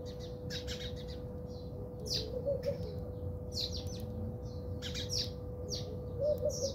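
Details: House sparrows fighting in a South African backyard give bursts of harsh, high chirps in irregular clusters, with faint dove coos and a steady low hum behind.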